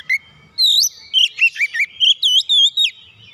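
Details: Provoked magpie-robin (kacer), agitated, delivering a brisk series of about ten loud looping whistled notes, each rising and falling, after a short opening chirp; quiet background.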